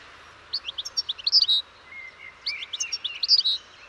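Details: European goldfinch song: two bright bursts of quick, tinkling twitters and liquid chirps, with a thin drawn-out whistle between them, over a faint steady background hiss.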